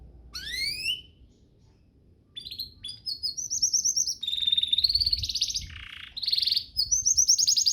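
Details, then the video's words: Master song of a canary, used in training: a rising whistled glissando, a short gap, then trilled high phrases, buzzy rolls and rapid repeated notes. "Masteran Mewah Spesial agar burung kenari cepat GACOR"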